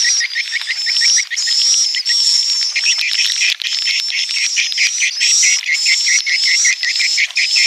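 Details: Roosting swiftlets heard as a continuous busy twitter: rows of short, evenly spaced chirps over a sustained shrill whistle, with brief gaps and a few slightly stronger bursts.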